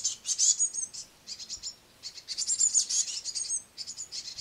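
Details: Great tit brood begging on a window sill while a parent feeds them crushed madeleines: high, hissy chirps in dense bursts, several chicks overlapping, with short gaps between bouts.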